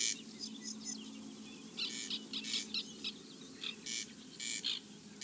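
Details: At a nesting colony of white-winged terns, filmed in 2021, harsh, grating calls come in short bursts, some doubled, irregularly spaced. A soft low hum runs underneath.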